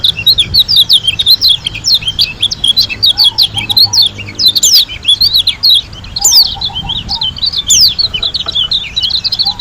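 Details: White-eye from Lombok in a lively gacor, ngalas-style song with tembakan notes: a dense stream of high, quick rising and falling whistled chirps that runs throughout. A softer, lower warbling trill comes in twice in the background.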